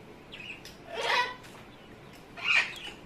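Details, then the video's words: Amazon parrot at home making funny noises: a thin short whistle followed by two harsh raspy squawks roughly one and a half seconds apart. "Hecko is making funny noises."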